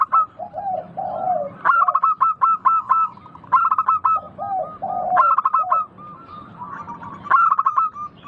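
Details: Zebra dove of a local strain giving clear, crystal song: low wavering coos lead into fast clusters of sharp staccato notes, repeated twice, ending in a brighter trill, with steady faint background hiss.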